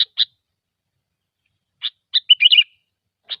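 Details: Sooty-headed bulbul, gecor song as used for luring: two crisp chips, a pause, then a fast bubbling phrase of four or five notes followed by a single chip.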